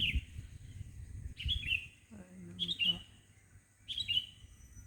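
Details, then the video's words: Morning birdsong in front of a house: bright chirping phrases with falling trills about every 1.3 seconds, with a brief low voice-like sound in the background and a steady high hiss. "Pagi-pagi sudah dihibur dengan kicauan burung didepan rumah"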